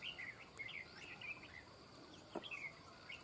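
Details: Red-whiskered bulbul calling during bird trapping, described as an eager, persistent caller: a string of short, bright chirped phrases with quick up-and-down inflections, closely repeated, over a soft hiss of background noise.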